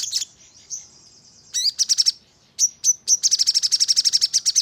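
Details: Crimson sunbird lure song meant to make other birds respond quickly and sing with rapid 'nembak' bursts. High, thin chips and buzzy notes, then a fast, even run of sharp repeated ticks near the end.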